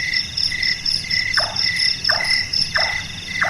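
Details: Night-active Large-tailed nightjar (Caprimulgus macrurus), known locally as burung tukang or burung malas, gives four quick hollow chonk notes falling in pitch, about every 0.7 seconds, over loud continuous cricket-like trilling.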